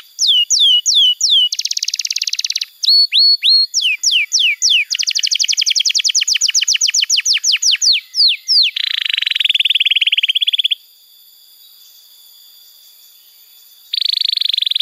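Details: Canary training song for young canaries: downslurred whistles, a short buzzy burst, upswept notes, a long rapid trill, a lower rattling tour, silence, then another rattle.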